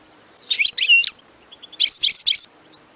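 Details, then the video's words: European goldfinch in the bitbita singing style, used to make other goldfinches sing: two short bursts of high, tinkling twitter notes separated by a pause of about a second, over faint background hiss. "بتبتة نااار يا حبييبي ناااار لتهييج الحسون ستجعله يغرد من دووون انقطا"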